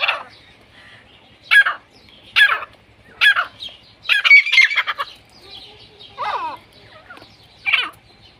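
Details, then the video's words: Grey francolin calling: harsh, grating bursts repeated roughly every second, each a cluster of rapid notes, with a louder, denser chattering run near the middle and quieter notes between; no other clear sounds. "5 five different gre teeter voice || teeter chicks boli || all teeter ki awaz"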